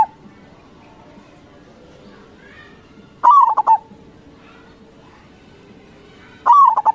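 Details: Zebra dove (perkutut), a local Indonesian bird in full song, offered as a lure to make other doves respond: two phrases about three seconds apart, each a sustained falling coo trailed by rapid staccato notes, with faint hiss between them.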